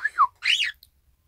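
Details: Indoor Isabelle pearl cockatiel imitating the owner's 'ppoiyo' whistle on 1 December 2018: two short descending whistled notes, then a raspier, higher arched note that rises and falls, ending abruptly.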